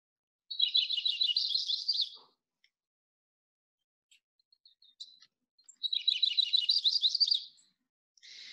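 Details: Yellow-rumped Warbler spring song, as heard on Protection Island: two loose, high trilling warbles, each about a second and a half and quickening toward the end, with a few faint chips between.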